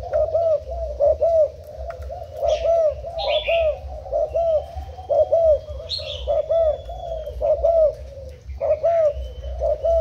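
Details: Decoy spotted dove from Thailand, cooing in the úp manner on 10 April 2018: clusters of quick, low bubbling coos with short pauses, joined by scattered high chirps and a thin whistled note.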